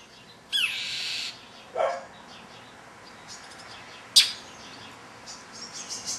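A European Starling's harsh, rasping alarm burst lasts under a second, then a lower, shorter rasp and a sharp click follow. Faint chirps from other small birds come after.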